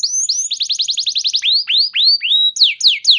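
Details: Canary song used as a lure to prompt other canaries to respond and sing: fast trills of rising whistled notes, then slower upslurred whistles and downward-swooping notes, all high and clear.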